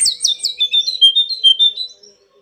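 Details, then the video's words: Pied bush chat, a master song for training pet birds: a rapid run of high, bright whistled notes that slide downward and then settle into an even, repeated chirping phrase before fading, with a faint steady hum underneath. "Kicauan mewah TLEDEKAN GUNUNG gacor dor,Masteran terbaik buat tledekanmu"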